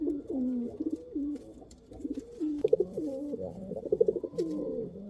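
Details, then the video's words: Kal Cheeni and Rampuri domestic pigeons giving low, throaty coos that bend up and down, stuttering pulses between longer drawn notes, several birds calling at once. "Pigeon sound | kal cheeni kabutar sound | Rampuri kabutar sound"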